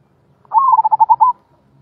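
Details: Zebra dove giving its rolling-style voice, known locally as suara gulung: one short, low, throaty coo broken into about seven quick rolled pulses, in an otherwise quiet setting.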